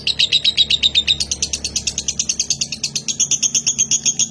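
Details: Konslet-style lovebird from Nganjuk, Indonesia, delivering long continuous singing: rapid rattling chirps about four per second, shrill and high, climbing in pitch partway through, with no pauses.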